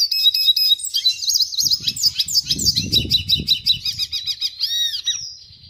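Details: {'text': 'Red siskin song of rapid high twitters and buzzy slurred notes, ending in a run of evenly spaced repeated chips, with faint low rumbling in the background.'}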